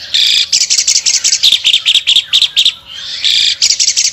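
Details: An albino Asian pied starling sings hard with wings spread, giving quick runs of sharp chirps and squeaky chatter that pause briefly, then resume with a drawn-out rasping note.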